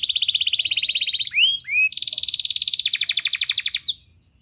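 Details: Energetic singing canary: a rapid high trill, two short rising whistled slides, then another long rolling trill that fades out near the end.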